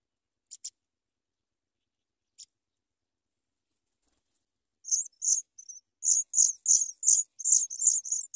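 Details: Sprague's pipit chicks being brought big worms to eat; after a few stray ticks and a long silence, thin, very high chirps start up and repeat rapidly, about three per second, through the final seconds.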